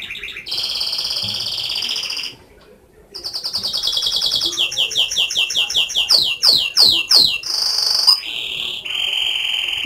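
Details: Canary in full song: sustained high whistled notes, fast buzzy trills, then a run of quick descending sweeps repeated several times before steady whistles resume, loud and clear indoors.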